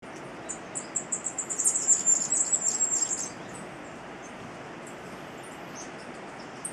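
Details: Several eager Masked Flowerpiercers (Diglossa cyanea) perched near cabins in Rio Blanco Reserve, Central Andes, in September; song is a very high, rapid jumble of twittering notes about three seconds, swelling then fading, then faint scattered chips over quiet hiss.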